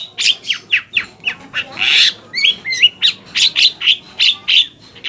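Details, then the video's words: Long-tailed shrike song used to provoke other shrikes and get reluctant birds singing: a steady series of sharp, scratchy chirps, a wavering whistled phrase in the middle, then evenly spaced harsh notes about every third of a second. "PANCINGAN AMPUH BURUNG CENDET AGAR CEPAT GACOR - cendet manapun langsung nyaut dan emosi"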